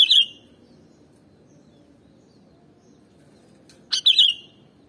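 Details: Sooty-headed bulbul song used to lure other birds: two short, loud, whistled phrases, one right at the start and another near the end, that dip and rise sharply, separated by a long quiet gap over low background hum.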